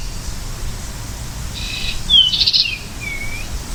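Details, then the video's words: American goldfinch giving a single short phrase: a quick downslurred whistle, then a bright buzzy burst and a soft low slurred note, over a quiet background hiss. "Beautiful Goldfinch Bird Sound"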